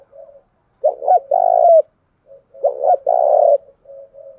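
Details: Spotted dove lure cooing meant to attract rival doves and incite fighting; two loud phrases of a double note and a long coo, framed by quiet soft murmured coos.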